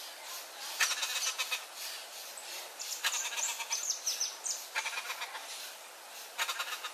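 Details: A Turquoise-fronted amazon (Amazona aestiva) chick begs while being fed, giving harsh, stuttering, nasal bursts, about four in seven seconds, with thin high squeaks between them.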